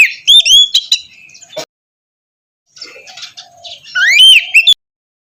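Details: White-rumped shama song used as morning therapy to coax a reluctant bird into singing: two bursts of sweet whistled, slurred phrases with rising and falling notes, separated by a quiet gap with faint chatter.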